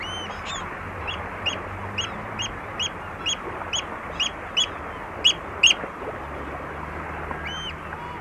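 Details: Oystercatcher calling close at Walney with various calls: a steady series of sharp, piping notes repeated about twice a second, over lapping water and distant gulls.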